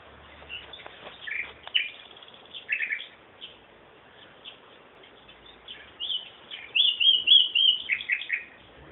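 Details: Bird song of scattered short chirps, then a quick run of bright whistled, warbling notes near the end over a faint background hiss.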